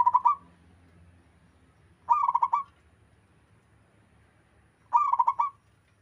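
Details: Local zebra dove, described as a lively caller with a melodious coo, with other birds answering; three bursts of rapid trilled cooing, each about half a second, spaced two to three seconds apart, over faint low background rumble.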